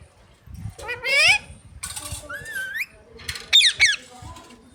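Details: Talking parrot imitating human words, asking for roti: a rising harmonic squeal, a smooth upward whistled slide, then two sharp high chirpy syllables, over faint low room rumble.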